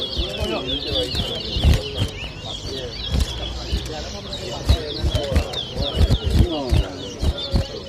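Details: Chestnut-bellied seed finch song counted aloud at a 2023 Arrival Day bird whistling competition in Diamond, Guyana. Bursts of high, rapid, twisting twitters recur, mixed with a man's counting, crowd voices and frequent knocking sounds.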